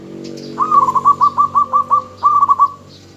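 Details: Local zebra dove used to lure and provoke answers from other doves: a rapid run of about ten bubbling, evenly spaced coo notes, then a quicker burst of five, clear and close over quiet background.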